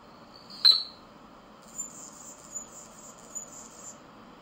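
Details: Male Anna's Hummingbird on Vancouver Island: at the bottom of a fast display dive its spread tail feathers make one loud, sharp, explosive high-pitched peek, followed by faint thin high squeaks.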